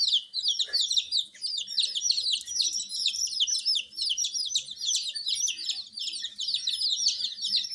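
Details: A crowd of coloured baby chicks raised with supplied heat fills the air with a loud, unbroken chorus of high, shrill, falling peeps, many birds calling at once.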